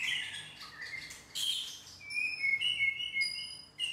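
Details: A white-rumped shama sings, first rich warbling notes, then long pure high whistles held steady and stepping between pitches, ending with a sharp burst; quiet low hum in the background.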